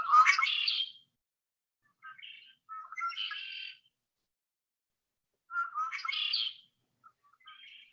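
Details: Red-winged blackbird singing in early spring, one of its first signs: three or four songs, each a few short, lower clicking notes followed by a harsh, buzzy, ringing trill, with pauses between.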